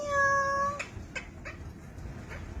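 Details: Pet blue Indian ringneck parakeet (rose-ringed parakeet) talking, greeting with the Korean "annyeong" (hello): one drawn-out, even, nasal word-like note under a second long, then a few soft clicks and taps in a quiet room.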